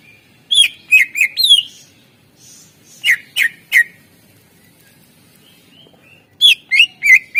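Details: Greater green leafbird in varied 'isian' song, played to prompt silent birds: bursts of quick whistles and chirps in three groups, some notes dipping, others sliding downward, with pauses between bursts.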